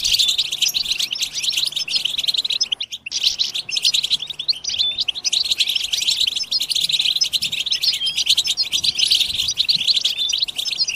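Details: European goldfinches twittering together in batbata style to stimulate singing: constant high chirps and trilled twitters, with a brief dip near the third second before the chorus resumes.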